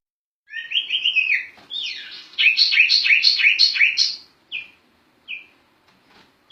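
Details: Sirtu bird in full ngerol song, a master recording for teaching other songbirds. Sweet whistled notes lead into a rapid, rolling series of repeated chirps, followed by brief spaced calls and pauses.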